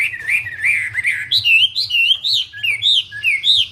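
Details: Wambi in full voice, delivering clear warbled whistles that climb from lower wavering notes into a brisk series of looping, up-and-down phrases, each about a third of a second, with a steady low hum behind.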